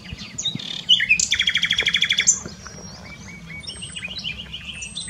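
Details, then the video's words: Nightingale song from Dohr, Eifel, Germany: sharp whistles, then a loud fast rattling trill of about a dozen rapid notes, followed by scattered high chirps and slurred whistles over faint low background noise. "Nightingale singing. Nachtigall singt."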